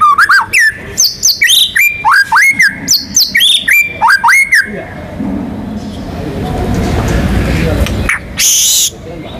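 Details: White-rumped shama, a national contest champion in full song, with loud whistled notes that leap and slur between pitches in quick bursts for about five seconds, then a hissing, rumbling background and a short high buzzy burst.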